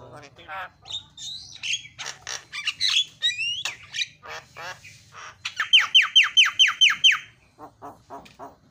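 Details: Javan myna training song with filler phrases for stimulating other mynas: mixed scratchy and whistled notes give way to about nine loud sharply descending whistles in quick succession, ending in soft raspy chatter.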